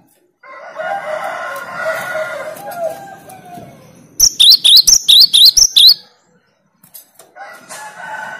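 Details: Cinereous tit 'tembakan' song to challenge rival birds: after a long, lower, harsh background call, a tight burst of about eight high, bright, zigzagging notes, followed by more faint lower calling.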